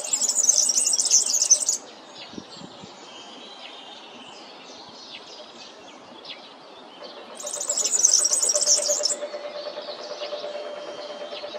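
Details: Two bursts of European serin (Serinus serinus) song, each a fast, metallic, tinkling trill close to two seconds long and roughly six seconds apart. Quieter chirps and a low steady hum fill the gap.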